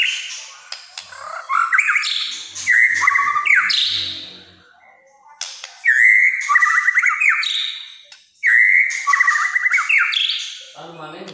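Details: White-rumped shama in full, vigorous song, said to provoke other shamas: loud phrases of rapid trills and rattling notes around mid pitch, climbing to higher whistles, in three bursts separated by short pauses.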